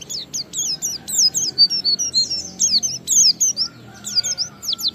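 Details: Lure song of an Oriental white-eye in ngalas style: lively streams of high downward-sweeping whistles and quick chirps in repeated bursts, with a short lull near the end before more slurred notes.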